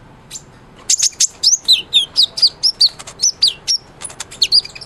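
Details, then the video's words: Lively kolibri ninja sunbird song, recorded as tutor material for white-rumped shamas: a brisk series of high, sharp notes that sweep downward, about two per second, between quick thin chips. "SUARA BURUNG KOLIBRI NINJA GACOR"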